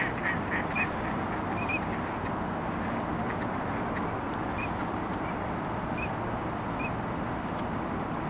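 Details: At Burnaby Lake, female Lesser Scaup (Aythya affinis) give rough, low quacking grunts, several close together, against a steady background rush of wind or water.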